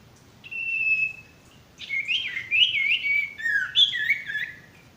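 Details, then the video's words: Male ashy tailorbird song, used as a training song for stressed or silent birds: a long steady whistled note, then a lively run of warbled, rising and falling whistles repeated several times. "masteran burung sirtu bakalan maupun stres macet"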